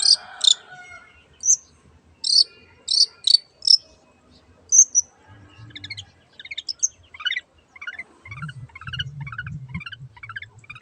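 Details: Long-tailed shrike (cendet) song: spaced sharp chips and short high whistles, then a quick series of down-slurred squeaky notes repeated rapidly, with a faint low rumble near the end.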